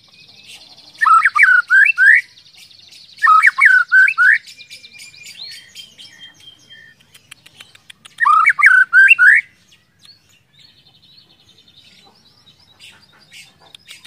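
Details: White-rumped shama (murai batu) song used to trigger other shamas to sing: three bursts of rapid, bouncy whistled notes a few seconds apart, with a faint high buzzy trill behind them.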